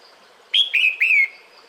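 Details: Female red-whiskered bulbul calling the male in the breeding season: three short whistled notes around a steady mid-high pitch, the first bright and level, the next two sliding gently downward, with faint hiss behind.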